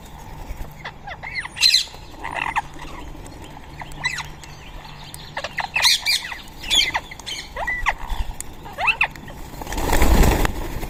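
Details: Rose-ringed parakeets at a feeding spot in Coimbatore, giving repeated harsh squawks and shrill chattering notes in irregular bursts. Several calls overlap, with a low hum throughout and a loud broadband rustle near the end.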